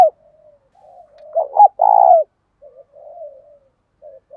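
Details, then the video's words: Caged spotted dove lure meant to make wild doves coo quickly, thổ sấm and thổ bầu voice; one loud phrase of broken notes and a long mellow coo, surrounded by quiet low murmuring coos. "Chim Cu Mồi - cu gay kich boi nhanh noi gù"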